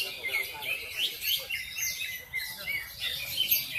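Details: Javan bush lark in ngendang song, fast high chirps and sweeping whistled notes tumbling in quick succession, about three per second, lively and continuous.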